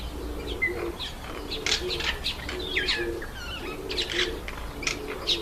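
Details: A Yellow White-eye eating an apple gives thin, high chirps and short twittering notes in quick, irregular bursts, calling continually to keep in touch; soft, low dove-like cooing runs underneath.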